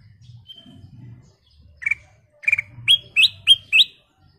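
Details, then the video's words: Sooty-headed bulbul in full, lively song, used as a lure recording: after a low background rumble, six short, bright whistled notes come faster and faster, the later ones sharp and rising. "Suara Paling Cakap Burung Kutilang Emas full isian"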